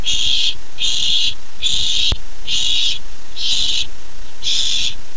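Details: Barn owl owlet at a nest, July 13, 2015, excited to get its first treat: six harsh, rasping hisses, each about half a second, repeated with short pauses, against a steady low hum.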